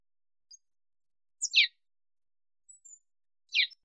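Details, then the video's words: Sparrow in Africa giving two short, bright chirps that drop sharply in pitch, separated by about two seconds, with a few faint high ticks between them in otherwise silent surroundings. "Воробей. Африка. Голоса птиц"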